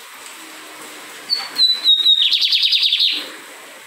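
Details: Song of a lined seedeater from Maranhão, Brazil: a pure high whistle with a small downward step, leading straight into a fast, buzzy, evenly pulsed trill lasting about a second, over a faint steady hum.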